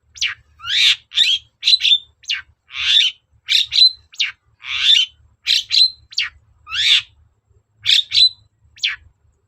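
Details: Long-tailed shrike singing persistently as a lure to coax other shrikes to respond: a busy, varied string of scratchy bursts and short whistled notes, roughly two per second, with no pauses.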